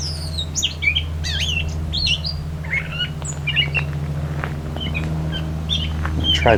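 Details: Gray Catbird singing high in the Beverly Swamp, Flamborough, Ontario, Canada, at the 2024 summer solstice, while the microphone is being positioned; quick jumbled run of varied squeaky, whistled and mewing phrases over the steady low drone of a passing airplane.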